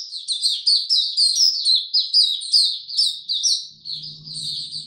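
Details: White-eye in full opening song on a warm, very humid day, 26 March 2022: dense, rapid high chirps strung into chattering phrases, with a low hum appearing under the final second.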